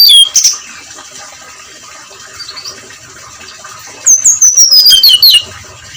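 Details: Brown-chested jungle flycatcher at dawn giving 'ngeplong' song: a short whistled burst, several seconds of faint notes over hiss, then a loud cascade of high whistles sliding downward.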